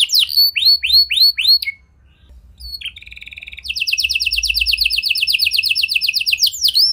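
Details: Canary in full song with unusual phrasing, played to get silent canaries to respond: a string of looping slurred whistles, a short pause, a soft low trill, then a long fast high rattle.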